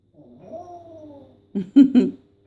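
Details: Adopted female parrot with plucked feathers, indoors, performing her sound effects: a soft drawn-out meow-like wail rising then falling, followed by three loud harsh barking squawks in quick succession.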